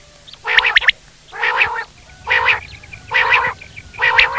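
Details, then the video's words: Quail calling with five harsh, broad bursts spaced about a second apart, each rough and buzzy, over a quiet background. "Buter ki awaz"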